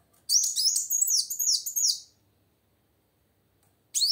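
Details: Lively female plain sunbird, her sound used to make silent males sing: an almost two-second stream of quick, high, slurred twitters, followed after a pause by another sharp upswept note.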